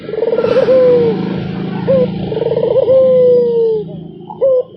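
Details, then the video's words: Barbary dove in melodious, unbroken cooing: rolling pulsed trills each ending in a long, smooth downward coo, with short sharp notes between them, over a steady low hum. "SUARA ANGGUNGAN BURUNG PUTER !! GACOR TIADA HENTI ll SUARA BURUNG PUTER MERDU"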